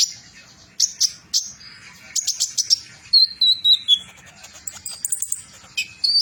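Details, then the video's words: Metallic-mutation sunbird (kolibri ninja) in aggressive trotol song: scattered sharp high chips, then a run of descending whistled notes and later bright rising squeaks. "Kolibri ninja trotol Ganass,mutasi metalik"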